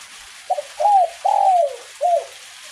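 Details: Single song phrase of a spotted dove of the kuk 1 style, recorded in drizzling rain: a stuttered double note, then an arched coo, a longer sweeping coo and a short final coo, against a soft background hiss.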